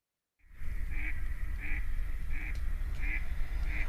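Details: Mallard active at night in Portugal with wingbeats, calling and splashing in water: five short nasal calls, one roughly every 0.7 seconds, over a steady low rumble of water and wind.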